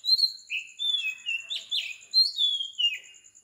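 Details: Oriental magpie-robin singing at 4 am in tropical Sri Lanka: varied clear whistled phrases, some sliding downward, others with sharp rising notes, given in quick succession over a steady high insect whine.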